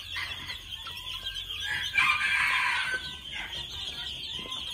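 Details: Two-month-old red junglefowl chicks give high, thin cheeping and chattering calls, several overlapping in a busy flock, about four a second.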